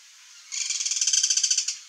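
A Guira cuckoo gives a fast, high, buzzy rattle of about fifteen even pulses lasting just over a second, with nothing else heard.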